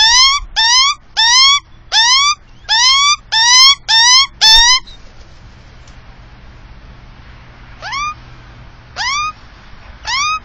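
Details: Australian magpie at its nest with chicks in a tree in Melbourne's south-east suburbs, Victoria, recorded by a security camera mounted above the nest: a rapid run of upward-sweeping, harmonic-rich calls, then three spaced repeats after a pause.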